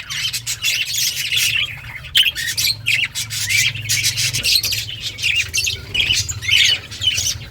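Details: Caged breeding colony of Australian budgerigars kept at home; constant overlapping chatter of grating chirps and squawks from many birds, with a steady low hum in the background.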